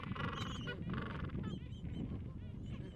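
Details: Gentoo penguins, chicks about two weeks old tucked under their mother in cold wind: two loud harsh honking brays, then a run of short rising squeaky peeps.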